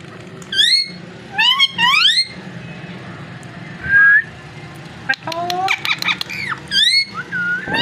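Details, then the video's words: Parrot talking and calling: several rising, buzzy harmonic sweeps early on, a short clear whistle near four seconds, then a burst of clicks and chattering syllables with more upward-sliding calls, over steady low indoor hum. "Amazing parrot so cute talking and voice"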